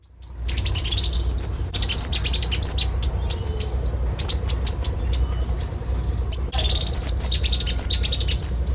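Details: Copper-throated sunbird singing: very high, rapid twittering with sharp thin chirps in dense bursts, a brief lull carrying a steady thin whistle, then a renewed burst of quick twitters near the end.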